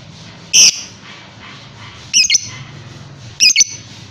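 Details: Lovebird, described as ready for a song contest, giving long-duration shrill, rasping chirps in short bursts, some doubled, with a faint low hum behind.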